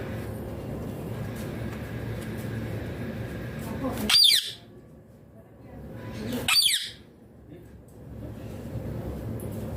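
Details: Rose-ringed parakeet giving two loud, shrill squawks about two seconds apart after a stretch of indoor background noise and a steady hum.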